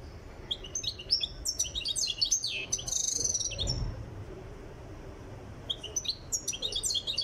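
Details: A European goldfinch from Tiaret, in training and getting into singing form, sings a rapid, tinkling stream of high twitters and liquid trills in two bursts, with a brief buzzy note between them.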